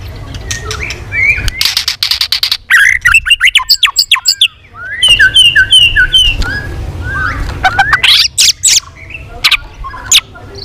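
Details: Tail-flapping white-rumped shama in a continuous competitive song of many voices: dense rattling bursts, sharp ticks and short looping whistles repeated in quick runs, with a quieter hum in the background.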